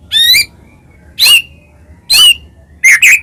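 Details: White-rumped shama song used to provoke other shamas into singing: four loud separate phrases, each a rich harmonic burst with a bright whistled note near the middle, spaced about a second apart over a quiet background.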